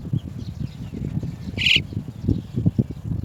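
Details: Chestnut-tailed starling mothers arriving for chicks leaving the nest; a single short, gritty, rasping note midway through, over continuous low rustling and thudding background.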